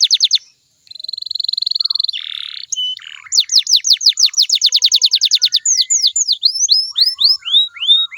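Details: Canary song used as a lure to make listening canaries sing back: a few falling notes, a steady buzzy tour, then a long fast trill of downslurred notes easing into slower swooping whistles.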